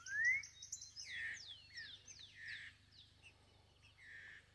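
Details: Green-winged saltator loose in the forest: a strong upslurred whistle opens, then a jumble of softer descending whistled notes and high thin chips fading away; low steady hum in the background.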